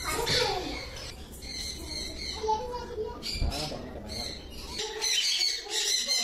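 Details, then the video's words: Hand-fed lutino cockatiel chick in Madurai, Tamil Nadu, gives harsh, raspy, rapidly repeated begging squawks in bursts over a low indoor hum with faint voices. "Lutino Cockatiel yellow cocktail - Hand feed chick"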